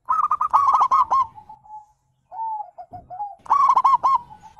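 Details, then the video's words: Zebra dove call from local and Bangkok birds to make other doves respond: a loud burst of rapid bubbling coos fades into long soft notes, a pause, stuttering low coos, then another rolling burst. "panggilan perkutut liar"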